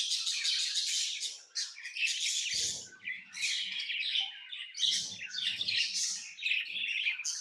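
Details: Dense, continuous chatter of tame lovebirds: overlapping shrill chirps and harsh squawky notes, with a faint low thump partway through.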